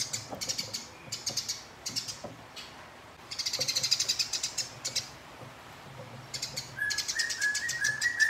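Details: House sparrow fighting a rival: bursts of rapid, dry, rattling chatter, each lasting under a second and repeated irregularly. A louder run of chatter comes in the middle, and a thin rising whistled series enters near the end.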